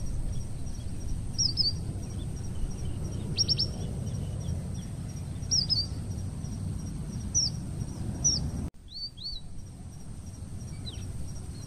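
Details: Red avadavat, an introduced invader from Asia, in Parque del sureste, Madrid: thin, high chirps and short downslurred tweets in scattered bursts, some in quick triplets, over a steady low rumble; a brief cut near the end.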